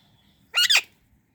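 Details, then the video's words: A single raspy double-note call from an Indian ringneck parrot: two grating, harmonic-rich bursts fused together, lasting about a quarter second, against near silence with faint low background hum. "Indian Ringneck Parrot Chirping Sounds"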